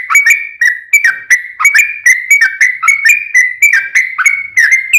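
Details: Sooty-headed bulbul lure song meant to make other bulbuls respond, a lively chain of short whistled notes that drop and rise, delivered quickly and nonstop.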